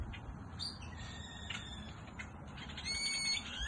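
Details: Hundreds of birds chirping as the sun sets in Goodyear, Arizona: dense, overlapping high chirps and short whistled notes, a few sustained tonal lines with overtones, over a steady low background rumble.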